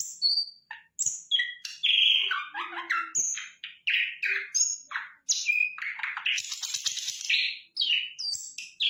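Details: Sikatan londo flycatcher in energetic, nearly continuous song: sharp high whistles, chattering slurs and rasping bursts, varied in pitch and tightly spaced over about nine seconds.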